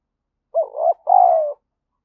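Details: Decoy spotted dove cooing to rouse wild doves. One low two-part phrase: a wavering, rising coo, a brief pause, then a longer, steady, slightly falling coo. Quiet background.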